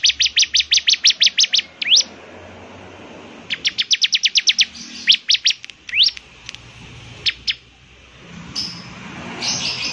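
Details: {'caption': 'Bar-winged prinia in full voice, with a distinctive song said to draw other prinias into singing; rapid high chip series and a few rising slurs, then scattered notes fading into background noise.'}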